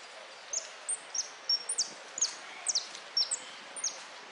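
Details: European goldfinch singing in a contest held 03 02 13 in the "Amarillo de Repique" category: short, high, sharp whistled notes, many slurring steeply downward, repeated about every third of a second over a steady hiss.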